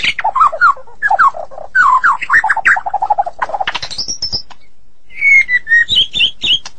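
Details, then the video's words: White-rumped shama of Medan origin singing gacor: tumbling low warbled notes and quick chatter, a high thin whistle, a short pause, then bright descending and ringing whistles. "Murai Batu Medan Super Gacor Durasi Panjang"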